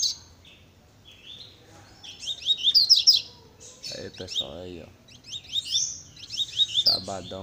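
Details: A double-collared seedeater, described as a very fast singer, sings rapid, high, twittering phrases of quick chirps, while a man's voice speaks briefly twice over the song.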